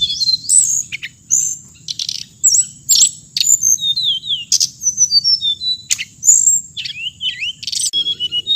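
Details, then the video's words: Busy song of the hồng hạnh bird: loud sharp chips mixed with looping whistled phrases that rise and fall, repeated in quick succession against a constant high hiss. "suab noog txiv leev lau2 tiếng chim hồng hạnh"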